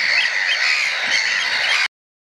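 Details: Three young Eurasian oystercatchers gather and pipe, likely nestmates learning the display, with an adult now and then stepping in. Rapid, loud, overlapping high piping notes fill the whole clip, then stop abruptly.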